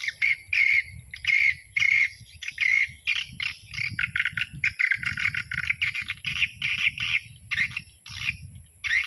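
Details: Swiftlet calls played as a dusk lure for a small swiftlet house. Dense, repeated chirping bursts with short twittering phrases come in rapid runs. A steady high electronic tone runs throughout, with a low rumbling hum beneath.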